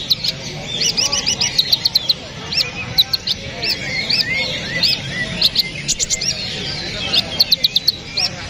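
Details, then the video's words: Kapas tembak songbird material: high, sharp chirps and quick whistled trills tumbling over one another in rapid bursts, several small birds overlapping against a faint outdoor background. "KAPAS TEMBAK"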